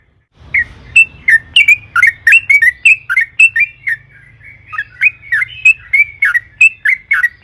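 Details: Yellow-vented bulbul in energetic, long-rolling 'ropel panjang' song used as a lure to stir other bulbuls into singing: fast run of short bubbly notes near the same pitch, roughly three a second, over a faint low hum.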